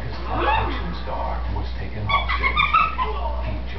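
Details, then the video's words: Talkative female green-winged macaw kept as a pet, vocalising when she thinks she is unobserved; mumbled speech-like sounds, then a cluster of brighter, rapid tonal syllables toward the end, steady hum beneath. "Green Wing Macaw Talks up a storm"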